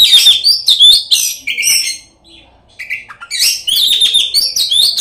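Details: Chatty kacer, the Oriental magpie-robin, singing a lure song packed with learned imitations (isian) to provoke rival magpie-robins. Dense bursts of sweet whistles and buzzy notes, a brief lull, then a long jumbled phrase.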